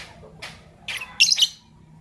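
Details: Fischer's lovebirds, white albino and pastel green, calling in the morning: a short run of rising, increasingly loud shrill chirps ending in a harsh piercing double squeak, over a faint hum.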